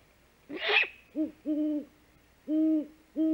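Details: Female great horned owl back at the nest at 5:41 am on 3 March 2018 gives the food call, a short harsh raspy note then four low soft hoots, while the male hunts.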